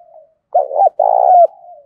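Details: Spotted dove used as a decoy, cooing daily to challenge and draw in wild doves, in the 'thổ sấm' voice style. A single low hooting phrase: a short coo, then a longer, rolling, slightly falling coo, with faint softer notes before it.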